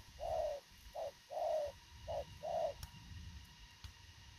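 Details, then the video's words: Spotted dove of the kind called thổ khàng, giving fast, short, crisp cooing: five low hollow coos in quick succession, short and long notes alternating, then quiet with faint background hum and a few clicks. "Thổ khàng tốc độ gù bá cháy, ngắn gọn xúc tích."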